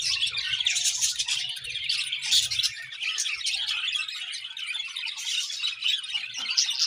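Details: Morning chirping of pet budgies: a thick, unbroken wash of high twitters, chattering trills and scratchy notes, with a faint low hum beneath.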